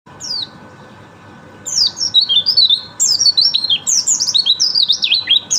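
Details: White-eye singing: a lone high downslurred note, a pause, then a rapid run of sweet, high, tumbling chirps and warbles that climb and fall, with a steady faint hum underneath.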